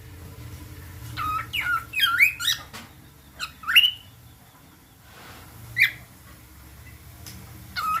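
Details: Cockatiel (Nymphicus hollandicus) singing a string of clear rising whistles broken by brief harsh chirps.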